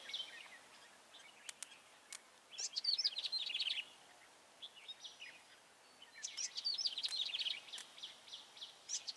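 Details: Decoy red-whiskered bulbul singing at a bulbul trap, 21 March 2018: two lively phrases of fast, high twittering whistles about four seconds apart, separated by quieter scattered chips and clicks over a low hiss of outdoor background.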